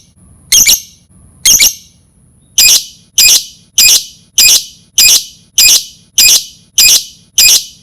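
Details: Lovebird lure sound with loud, shrill, high squawks: two bursts about a second apart, a short gap, then nine more sharp calls repeated steadily every half second or so.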